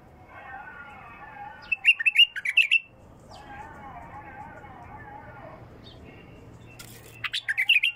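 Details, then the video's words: Bulbul with a pure, raw voice, singing two quick bursts of loud, warbled chirps that jump up and down, separated by several seconds of low humming voices. "اجمل مداور لغات بلبل خام حنجره نقيه"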